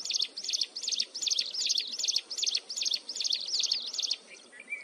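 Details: Close-up of a mountain wren's piercing, continuous song: about ten evenly spaced high, ringing notes in quick succession, then a brief pause and a thin rising whistle near the end.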